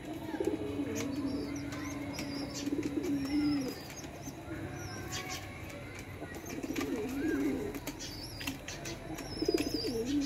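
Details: A mother pigeon feeds her baby. Drawn-out, humming coos with wavering pitch come in several long phrases, mixed with wing flaps, scuffling clicks and a few faint high chirps.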